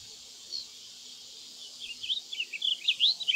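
Blue grosbeak giving a quick, jumbled run of short, sweet up-and-down notes in the last half, over a steady high insect hiss.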